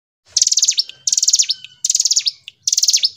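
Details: Hill prinia singing in gacor ngebren style: high, rapid buzzy trill bursts, each ending in a sharp downward-swooping note, four phrases spaced about 0.7 seconds apart in a quiet setting.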